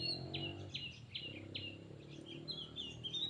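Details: Singing duel between a pet and a wild Oriental magpie-robin that escalates into a fight; four clear downslurred whistles about every half second, followed by a warbling run of varied notes over a low hum.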